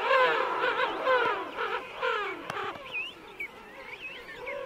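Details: King penguin adults calling close by amid a colony with chicks at Right Whale Bay: loud harmonic, descending wails first, then softer, looping high notes repeated at intervals over a steady colony murmur.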